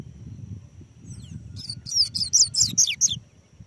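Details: Held on a hand, a double-collared seedeater gives a soft high whistle, then a quick series of around eight bright, descending, buzzy-edged notes over about a second and a half.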